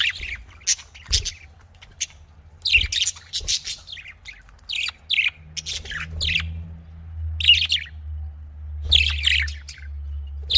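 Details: Budgerigar in a breeding setting giving bursts of sharp, chattering chirps and short warbles, clustered in groups with brief pauses, over a faint low steady hum.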